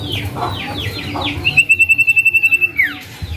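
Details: A male common iora calls with a few sliding downward notes, then a sustained, evenly pulsed high whistle of about a dozen beats closing with a quick downslur. The call is said to mark a male.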